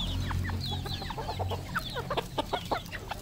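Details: Red junglefowl used as decoys, calling in short, uneven clucks and high chirps at roughly three per second, loudest toward the end, with a low droning hum throughout.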